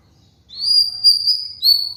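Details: White-rumped shama (murai batu), kept as a cage bird, in a master song for training other cage birds: pure high whistles held steady and slightly rising, three notes in two seconds.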